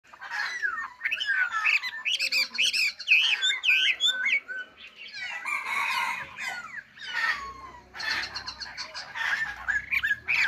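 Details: Chinese hwamei kept as a cage song bird, an untrained bird, sings a loud, varied run of whistled phrases, with sliding notes, quick trills and rich warbling bursts separated by short pauses.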